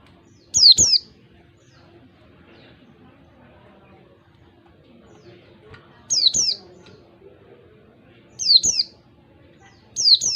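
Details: Wild white-eye call used as a lure for caged white-eyes in a beat-count style: four pairs of high, descending whistles, the first after a long pause, later pairs closer together, with a faint hum.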